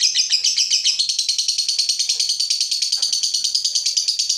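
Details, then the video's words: Fighter lovebird, provoked, sustaining its ngekek: a dense, buzzy, high chatter of fast repeated pulses running throughout, with faint low knocks in the background. "Lovebird FIGHTER terpancing Panas, nyaut Ngetik lanjut Ngekek Panjang"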